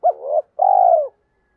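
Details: Spotted dove cooing used as a lure for wild doves: a short coo sliding into a softer trailing note, then one long, steady, vibrating coo that drops at the end.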